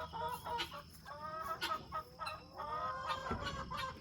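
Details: A homestead flock of chickens shut in a chicken tractor on 25 July 2023, eager to be let out, clucks and murmurs continuously, with overlapping short nasal notes and drawn-out, slightly rising calls.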